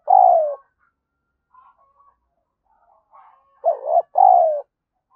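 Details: Spotted dove used as a lure bird, cooing to stimulate and draw in other doves: a loud, mellow, slightly falling coo, then faint soft notes and a quick paired coo followed by a longer descending one.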